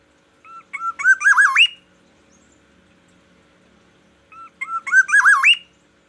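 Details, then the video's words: Black-naped oriole from Aceh, kept and cared for daily, singing in the morning: the same fluty, wavering phrase with an upward-sweeping finish is given twice, about four seconds apart, over a soft steady hum. "Kepodang emas Aceh, perawatan harian dan variasi kicauan di pagi hari"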